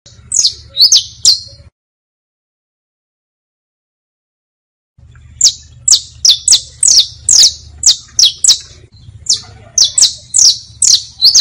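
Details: Saffron finch song used for teaching young birds, in the bastos, pintos and finos styles: sharp downslurred chirps falling from high to mid pitch, delivered about twice a second, with a silent gap of a few seconds early on.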